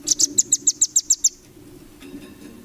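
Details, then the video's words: Training song of a velvet-fronted nuthatch for competition birds: a short, fast series of about nine piercing high chips, followed by faint background murmur. "MASTERAN RAMBATAN FULL BESET 2025"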